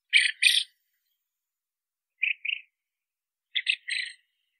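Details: Short clipped notes of a common quail in pairs and triplets, separated by pauses of about a second and a half, with no other sounds.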